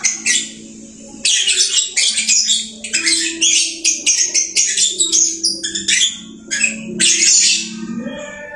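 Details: Captive lovebird singing busily: a continuous stream of shrill, scratchy chirps and rapid twittering phrases, harsh high bursts repeated with brief gaps, over a faint low hum.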